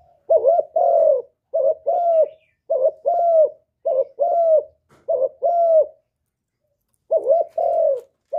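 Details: Spotted dove, a kept bird, giving its full calling, urging and cooing song in a voice meant to stimulate other doves. Paired husky coos, a short note then a longer level one, repeat about every second, with a pause near the end. Nothing else is heard.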